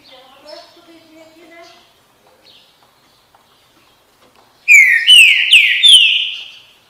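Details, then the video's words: Faint murmuring sounds open, then a green-winged saltator bursts into its "bom dia seu chico" song: three or four strong, clear whistles, each falling in pitch, given in quick series. "canto trinca ferro bom dia seu chico"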